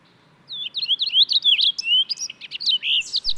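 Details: Purple finch, a species resident in Canada and the United States: a rapid, warbling run of high, varied slurred notes, bright and continuous for about three seconds.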